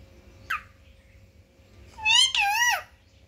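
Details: Pet parrot talking indoors: a brief sharp upward chirp, then after a pause a pair of warbling, speech-like harmonic phrases lasting about a second, over a steady faint hum.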